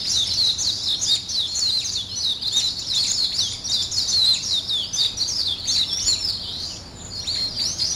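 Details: Morning birdsong from several birds: dense, overlapping high chirps and twitters, rapid thin notes and short trills running continuously with no pauses, plus a faint low background hum.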